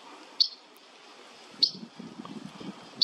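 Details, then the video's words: Olive-throated parakeet, a near-threatened species, in Cancún, Mexico, gives short, sharp, high-pitched call notes about every one and a half seconds over a faint low murmur. "Olive-throated Parakeet (ジャマイカインコ)"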